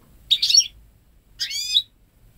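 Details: A home-bred ten-month-old goldfinch × canary hybrid born in May 2013, kept away from male canary song, utters two loud, clear phrases of high buzzy twittering, the second ending in a descending slurred trill, in near silence.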